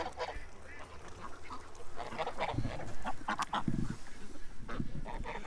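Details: Free-range domestic goose walking over to a person on a farm near Toronto, Ontario, Canada, where ducks are raised; short low nasal honking bursts come through rustling and footsteps, with a man's voice close by.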